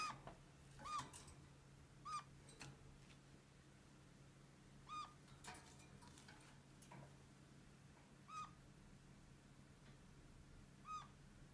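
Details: Pet kakariki (red-crowned parakeet) at home, its voice likened to a plaintive squeak or a small kitten's mewing: about five short, thin squeaks spaced a few seconds apart, with sharp clicks and tapping in between and a low steady hum behind.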